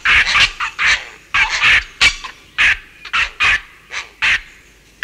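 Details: A grey heron gives aggressive close-up calls, harsh rasping squawks in quick uneven bursts, about two each second, in Kent, with house sparrows and a starling faint in the distance.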